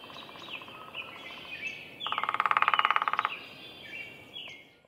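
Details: Downy woodpecker at Roberts Bird Sanctuary, Minnesota, drumming one loud rapid roll of steady taps lasting over a second, after a fainter distant roll, with light chirping from other birds around it.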